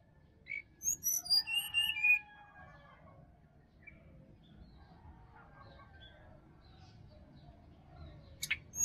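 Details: Forest sirdadu from Bali, its wild song meant to stir a caged bird into singing in the morning. A short burst of high whistles tumbles downward, followed by a long quiet stretch and one sharp note near the end.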